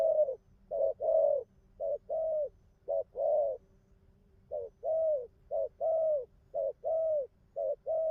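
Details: Spotted dove with a moderately spotted neck collar, noted for a machine-steady outer song and fine cooing. It gives mellow, low coos in clipped and drawn-out notes, grouped in twos and threes with short gaps. A faint low hum lies beneath.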